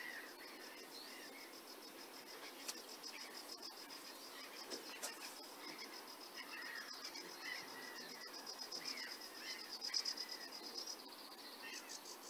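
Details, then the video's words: Sedge warbler in song at Burton Mere Wetlands, 8 June 2014, captured via phone-scope from a hide: a long run of rapid, varied chattering phrases, with a buzzy high rattling band throughout and a continuous hiss. "Singing sedge warbler"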